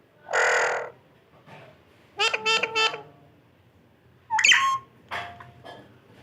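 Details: Pet parrot indoors, said to be talking: a long harsh squawk, then three quick harmonic voice-like syllables, followed by a sharp whistled chirp and softer calls.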